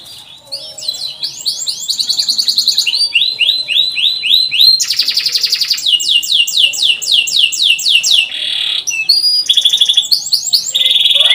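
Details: Canary song used as a lure for young canaries learning to sing: a long, loud run of fast trills, each held for a second or two, changing between buzzy rattles and swooping chirps.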